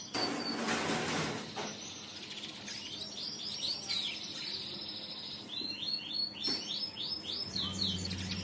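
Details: Caged-style canary song in riwikan pancingan form: fast repeated upward-sweeping trill notes in bursts, roughly four per second, broken by pauses and a burst of broadband noise, with a low hum underneath.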